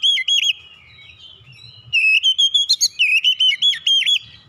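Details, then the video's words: Oriental magpie-robin singing ngeroll rapat, a tight rolling basic song: a brief whistled phrase opens, then after a pause a long, fast run of ringing, looping whistles with sharp high accents. "KICAUAN DASAR KACER NGEROLL RAPAT"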